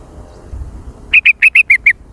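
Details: Sooty-headed bulbul in trucukan style: a quick run of six loud, short, identical chirping notes, evenly spaced, after a quiet start with faint low rumble.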